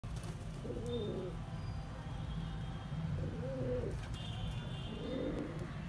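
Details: Pigeon pair at a bird market giving low, soft cooing phrases, three rolling coos spaced about two seconds apart, over steady low rumble and faint higher chirps from other birds.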